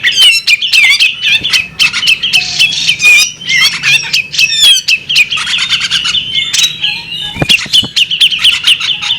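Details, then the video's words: Continuous high chatter from a female bearded magpie robin: squeaky, fast-repeated notes and brief whistled sweeps packed closely together, with one low thud near the end. "the alluring sound of a female bearded magpie robin"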